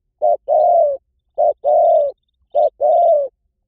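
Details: Rapid spotted dove cooing, about fifty phrases a minute. Each phrase is a brief note and then a longer, level, slightly falling coo, repeated three times. Faint high twitters from another bird sound in the background.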